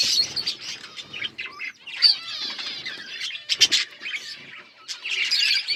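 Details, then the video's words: Several pet budgerigars chirping and singing together: a dense, continuous chatter of high warbles, clicks and short squawky notes, with louder bursts near the start, middle and end. "Budgies chirping sounds birds singing and enjoying"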